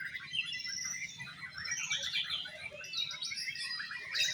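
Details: Exotic-style contest song from Oriental magpie-robins: fast, dense runs of sweet whistles and scratchy trills, several singers layered together, ending with a louder burst, faint low hum behind.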